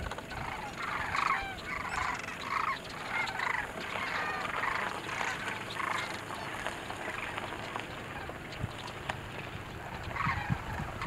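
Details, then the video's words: Sandhill cranes at Merced National Wildlife Refuge, California, on 5 November 2022: a flock gives rolling, bugling rattles, several birds overlapping in bursts every second or so, over steady background noise. "Sandhill cranes"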